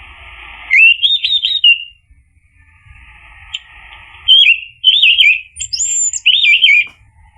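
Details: Orange-headed thrush singing as a lure to make another bird reply: clear whistled phrases that wobble up and down, separated by quiet gaps, ending with several looping, rapidly repeated whistles and a thin high note.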